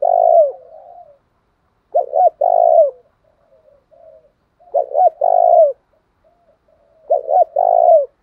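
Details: Spotted dove cooing, played to provoke rival doves to fight: the three-part coo phrase, two short notes and a long falling one, repeats about every two and a half seconds, with soft murmured cooing between.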